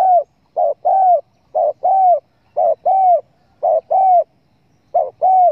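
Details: Spotted dove lure sound for hunters: low cooing pairs, a clipped note then a longer, gently arched coo, repeated regularly about once a second.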